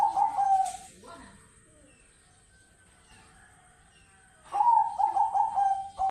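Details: Captive zebra doves of Bangkok and local lines cooing: a loud rolling, bubbling trill opens, fades into near silence, then a second long vibrating coo phrase returns strongly. A thin constant high whine sits in the background.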